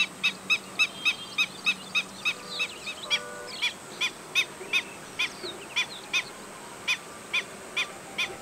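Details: Agitated Black-winged stilt calling in alarm: a rapid run of piping kek notes, closely spaced at first then spreading out, with faint chirps of other birds in the background.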